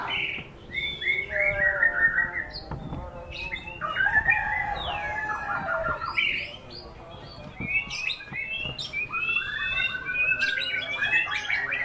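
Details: White-rumped shama singing a varied, luxurious-sounding song: whistled phrases, quick trills, swooping notes and sharp ticking bursts, with brief pauses between song runs.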